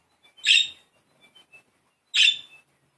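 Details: Playful pet budgerigars. Two loud, rasping chirps come about one and a half seconds apart, with faint ticks between them.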